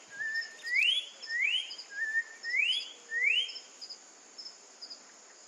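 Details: Orange-backed troupial (Icterus croconotus), a Brazilian bird locally called joão-pinto or corrupião, singing loud whistled phrases: a level note sliding upward into a rising clear whistle, repeated about once a second, then fading, over a steady high insect-like hum.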